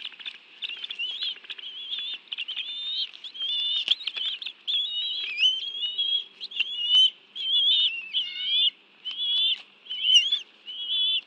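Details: Bald eagles at their nest in the National Arboretum, Washington, D.C., on a June afternoon as the parents feed fish to two eaglets; a long run of high, thin, wavering whistles and chitters, repeated roughly once a second.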